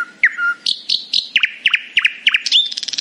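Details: A nightingale sings happily in the morning, starting with a low pure whistle, then evenly spaced sharp chirps repeated about four times a second, ending in a fast trill.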